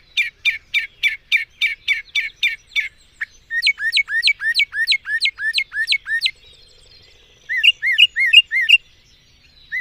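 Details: Mockingbird (cenzontle) song made of varied phrases, each repeated several times: first a fast series of sharp notes, then a run of slurred down-swept whistles, then after a short pause a few rising-falling chirps.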